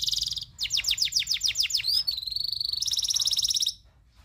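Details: Local canary tutor song with a high trill, then a string of rapid rising whistled sweeps, then a fast even rolling trill that cuts off suddenly.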